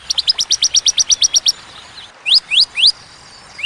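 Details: Bar-winged prinia (ciblek) in ciwah cigun 'tembakan' style: a rapid string of about fourteen short high chips, then after a pause three longer, louder upslurred whistled notes.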